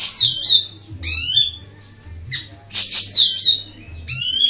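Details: Ashy tailorbird singing for a master recording: loud, high, harsh descending phrases repeated about every one to one and a half seconds, each dropping into a lower whistle, over a faint low hum.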